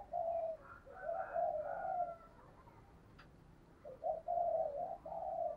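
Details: Spotted dove giving its thổ-style call, valued for decoying: two series of low, smooth coos, drawn-out and slightly wavering, over a steady background hiss.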